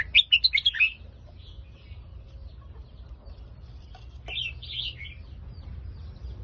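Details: Red-whiskered bulbul singing in the Phetchaburi song style: a rapid burst of bright, liquid warbled notes in the opening second, a pause with low background rumble, then a shorter slurred whistled phrase near the end.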